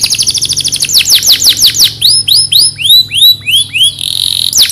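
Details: Loud canary song recorded in Central Java, Indonesia: fast rattling notes give way to a series of rising, arching whistles about three per second, ending in a sustained buzzy trill.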